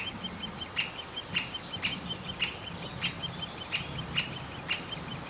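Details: At a great spotted woodpecker (Dendrocopos major) nest, high-pitched notes repeat in a fast, continuous stream, punctuated by regular louder clicks and knocks roughly every half second beneath the shrill chattering.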